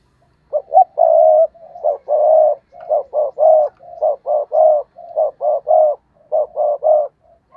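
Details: Decoy spotted dove giving the stuttering 'gù cà lăm' coo to provoke wild doves: mid-pitched cooing phrases of short clipped notes and longer held coos, repeated about once a second with brief gaps, in a quiet setting.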